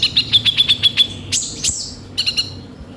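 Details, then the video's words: A sunbird sings a fast run of about ten thin, high chirps in one second, then sharp buzzy sweeps and a brief twittering trill, a full, rough-filled song used as a lure call. "suara burung kolibri ninja gacor full isian kasar"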